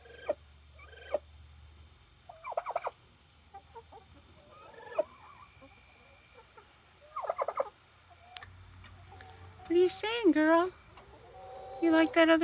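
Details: A domestic turkey hen, apparently taking her reflection for another turkey, gives short clucks and purring bursts, then louder wavering yelps near the end; a woman talks to her between calls.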